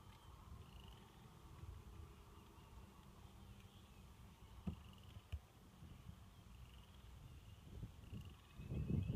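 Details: Wild turkey tom near Holden City Lake, Johnson County, Missouri, gives low, soft rolling purrs and rumbles, with a few sharp clicks and a louder thump near the end.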